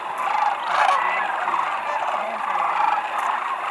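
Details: Huge wild flock of sandhill cranes settling at a wildlife area near McNeal, Arizona, on February 5, 2018, filling the air with layered, purring trumpet calls that rise and ebb without pause.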